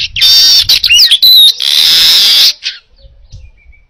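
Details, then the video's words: Baya weaver in full song as a training recording for cage birds: a long sizzling buzz broken by quick sliding squeaks, then a second extended wheezy hiss fading out, with faint low thumps after. "Masteran Suara Burung Manyar Gacor Jernih"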